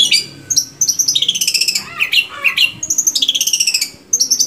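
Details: Varied long-tailed shrike song played to encourage caged shrikes to sing: tumbling high chatter, slurred whistles and fast rattling notes run together with hardly a pause.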